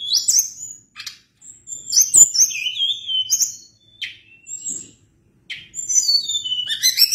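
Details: Tledekan gunung, the Sunda blue robin, delivering a long varied song: clear high whistles, quick sliding notes and dropping phrases in clusters separated by short pauses, in an otherwise quiet background.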